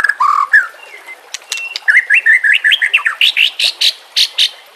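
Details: White-rumped shama song meant to train caged birds, with trickling water behind: low whistles, then a long run of quick rising slurred notes repeated roughly every quarter second, climbing in pitch.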